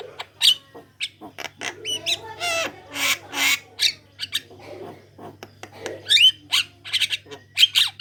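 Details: Javan myna singing as a lure to draw other Javan mynas into song: a jumbled stream of harsh squawks, rasping bursts, clicks and short whistled slurs, irregularly spaced, with a faint low hum beneath.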